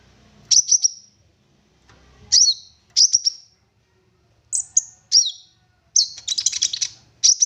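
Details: Singing olive-backed sunbird, a lure track to prompt others to sing: quick high triple-chip bursts and forked downslurs, ending in a dense rattling trill followed by a final chip; faint low hum beneath.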